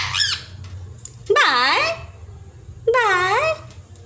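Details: Pet parrot indoors in a small room giving loud harmonic squawks, two drawn-out rising-then-falling calls about a second and a half apart after a brief high note, with a low household hum beneath.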